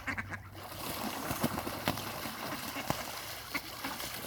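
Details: Ducks fighting give rough, scattered quacks and honking notes amid loud splashing and sharp clattering thumps.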